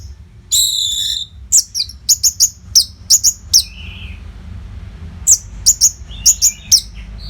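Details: Orange-headed thrush from Bali singing non-stop, a training song for contest birds: a buzzy harmonic note, then a run of crisp high downslurred chips spaced roughly every third of a second, a short pause, more chips.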